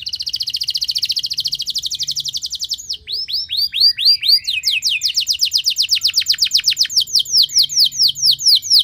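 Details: Canary delivering a long, powerful, rolling song to encourage other canaries to sing. A rapid buzzy trill lasts about three seconds, then come varied swooping whistles. A steady stream of fast, repeated, sharp notes follows.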